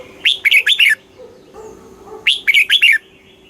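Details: Red-whiskered bulbul from Thailand, recording played to stimulate and teach other bulbuls: two bright, bubbly phrases of four or five quick warbled notes, about two seconds apart, over a faint steady hum.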